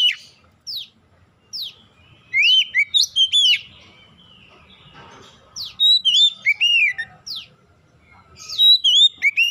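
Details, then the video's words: Magpie-robin song played to coax untrained oriental magpie-robins into singing: separate sharp downward chips, then sets of bright slurred whistles, repeated in three bursts with quiet gaps between. "PANCINGAN Kacer bahan cepat gacor"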